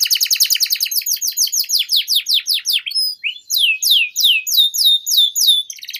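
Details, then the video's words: Energetic canary song serving as a tutor recording for young canaries: a fast rattling series of downward sweeps several times a second, easing into slower, fuller slurred whistles with light chirps. "PANCINGAN Suara Burung KENARI Gacor Panjang || Masteran KENARI Paud"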